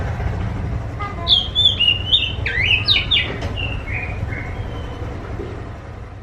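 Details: Kacer, the Oriental magpie-robin, singing to lure other magpie-robins to answer: a rapid phrase of bright, swooping whistles early on, trailing into softer notes, over a constant low rumble.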